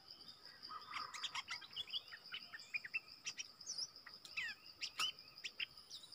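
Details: Streaked bulbul family called in by a decoy in the wild, giving sharp rising and falling chirps and short slurred notes, some high and thin, against a persistent insect drone.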